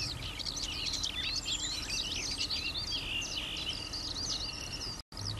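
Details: Skylark pouring out a dense, unbroken torrent of high twittering notes, buzzy trills and short whistles, cut by a brief dropout near the end, over a steady low hum of traffic.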